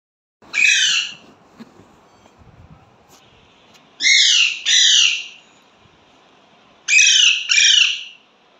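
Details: Pet Indian ringneck parrot talking, saying words such as mummy and papa: three harsh, nasal, voice-like utterances spaced a few seconds apart, the last two each made of two quick syllables, in a quiet room.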